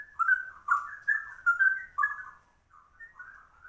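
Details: Straw-headed bulbul in trucuk style with ropel rapid delivery: a loud burst of thick, bubbling warbles for two seconds, then a brief pause and softer, drawn-out warbled notes.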